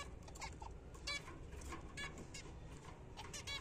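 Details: Zebra finches kept as pets, fed apple and seed in the morning, utter a few brief nasal beeping calls about a second apart against a continuous low rumbling background.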